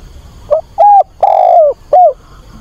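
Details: Spotted dove decoy bird cooing to find a mate and lure wild doves: one phrase of four low hollow coos, a short note, a steady note, a long drawn falling coo, then a short closing coo.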